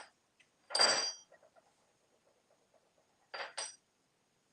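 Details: Clinking dishes, pots and cutlery in a small indoor room: two loud clattering bursts separated by quiet, faint tapping, with no animal voice.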